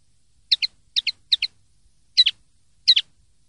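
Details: Common linnet in clean 'limpio' song: five crisp doubled chip notes, the first three quick and evenly spaced, the last two slightly fuller and more drawn out.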